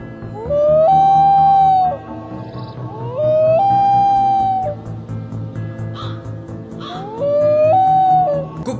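A loon gives three long, mournful wailing notes, each rising then holding steady before dropping away, about three seconds apart, over background music.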